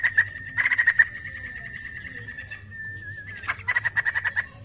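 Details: White-crested laughingthrush, singing actively as a lure sound: a short rattling series, a drawn-out steady whistle-like tone that wavers and drops, then another quick burst of pulsed notes.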